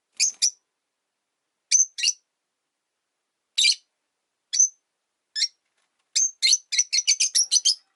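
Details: Rosy-faced lovebirds, three kept in a single cage beside a window, chirp in shrill high notes, first in pairs and singles, then a fast run of about eight chirps at the end.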